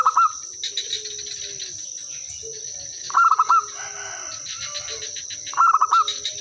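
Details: Local zebra dove used as a calling lure: three rapid trilled coo phrases spaced about two and a half seconds apart, against faint low whistles and a constant shrill insect background.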